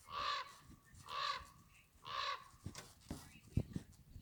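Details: Bird making three coarse, grating squawks roughly one second apart, followed by scattered clicks and dull knocks near the microphone.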